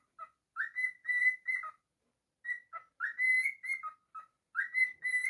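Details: Cockatiel whistling happily at home in two bursts of melodic song. Rising swoops lead into sustained even notes and short lower chirps. A quiet pause separates the bursts.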